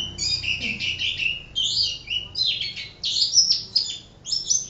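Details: High, bright twittering from an Oriental white-eye (pleci) in busy 'gacor' singing, with phrases of warbled chirps separated by short gaps, over a low background hum.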